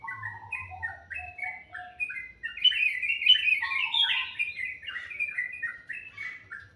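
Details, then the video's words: A melodious morning bird gives a long series of short whistled notes, each slurring downward, building into a dense twittering flurry before settling back into steady, evenly spaced whistles. "Suara burung dipagi hari sangat merdu"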